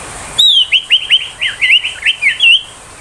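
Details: Ashy tailorbird 'tembakan' song, used as a tutor for magpie-robins and to lure and arouse young wild tailorbirds: a rapid string of about ten sharp chirped notes, rising and falling slurs, delivered in under two and a half seconds.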